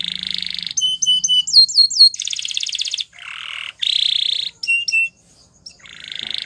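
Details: Belgian canary singing a training song: alternating buzzy trills, clipped high whistles and rising sweeps in varied tours, with short gaps between phrases.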